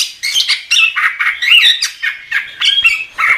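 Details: Chestnut-capped thrush (Geokichla interpres), song.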